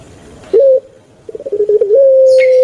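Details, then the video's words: Puter pelung turtle dove kept in Java, Indonesia: a short clipped coo, a gap, then a run of quickening rolled pulses merging into a long steady coo. "𝙋𝙐𝙏𝙀𝙍 𝙋𝙀𝙇𝙐𝙉𝙂 𝙎𝙐𝘼𝙍𝘼 𝘼𝙎𝙇𝙞 𝙋𝘼𝙉𝙅𝘼𝙉𝙂 𝙆𝙒𝙊𝙆 𝙏𝙀𝘽𝘼𝙇"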